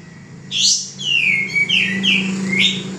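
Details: Male common iora kept for training cage birds, singing a sharp rising note followed by long drawn, downslurred whistles and a final upsweep, over a steady low hum.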